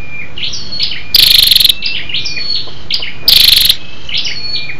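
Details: Scarlet-backed flowerpecker female, lure call to stimulate males: high thin whistled chips and slides, broken by two loud buzzy rattles about two seconds apart.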